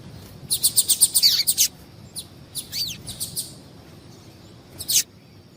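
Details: Female double-collared seedeater, a call used to get males singing for contests: a fast string of high chirps, then looser single notes including a wavering one, ending with a lone sharp chirp after a pause.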